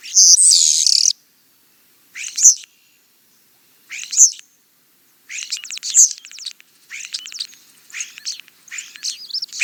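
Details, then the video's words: European starling singing: a loud harsh burst opens, then short squeaky, buzzy phrases at about two-second gaps, turning into rapid rattling chatter with clicks and slurred whistles toward the end. "European Starling - Songs"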